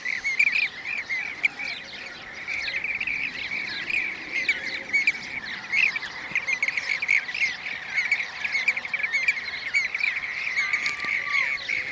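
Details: Long stretch of Blue-cheeked bee-eater calls from Şanlıurfa, Turkey, 2016: many birds produce a steady, dense chatter of rolling trills, with repeated high ticking notes above throughout.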